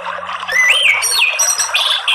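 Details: Orange-headed thrush song played as therapy sound to prompt a caged bird to sing; loud, rich whistled phrases with sliding, looping notes rising and falling over a busy background of other chirps.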